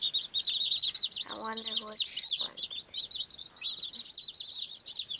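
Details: Cute baby chicks at play give a fast stream of high peeps, roughly three per second. A brief lower buzzy harmonic sound intrudes early on.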